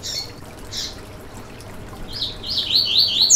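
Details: Yellow-bellied seedeater (coleiro baiano) song played to warm up and stimulate a caged bird to sing: two short high buzzy notes, a pause, then a fast run of bright, high, rising-and-falling warbled notes that builds louder toward the end.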